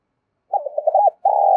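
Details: Spotted dove calling to excite other doves: a rapid string of short bubbling coos, a pause, then a steady sustained coo cut off abruptly by a click.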